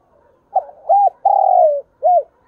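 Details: Caged decoy spotted dove giving a calling coo in thúc bổi style: a soft lead-in, a short arched note, a long hoarse sliding note and a final rounded arched note, low and mellow, with no other sounds.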